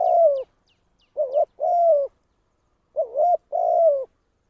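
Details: Decoy spotted dove used in trapping, giving clear coos: a long falling note, then two phrases each of a short wavering note and a drawn-out steady coo, in near silence.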